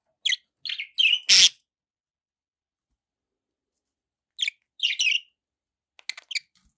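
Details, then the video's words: Short sharp budgerigar chirps in two small clusters separated by a long silence, one loud harsh note, then a few faint ticks at the end. "budgie sounds"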